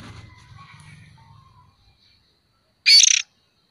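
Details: Lure call of a young oriental magpie-robin: a lone harsh, grating rasp near the end, after a stretch of faint, low chatter and then near silence.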